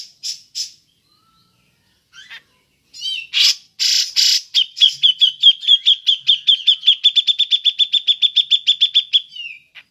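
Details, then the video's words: Cucak jenggot ngepik call, used to draw in other birds: a few isolated notes and harsh rasping bursts, then a long, accelerating trill of over thirty sharp ringing pips, ending in a falling slur. "Burung cucak jenggot ngepik cocok untuk pancingan"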